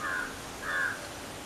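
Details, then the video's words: Forest jackdaw calling twice in quick succession, each note short and harsh, half a second apart, against a soft noisy background. "Crow and Jackdaw crow sound in the forest."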